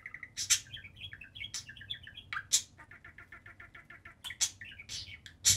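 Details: Pair of pet budgerigars playing on top of their cage indoors, chattering nonstop: rapid warbled chirps, twittering runs of short notes and sharp high squeaks tumbling over one another in a quiet room.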